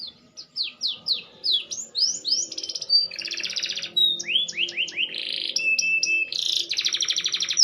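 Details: Green canary, maturing and improving its singing: varied song of high swooping whistles, falling slurred notes and dense buzzy rattling rolls, alternating quickly between phrases, against a quiet background.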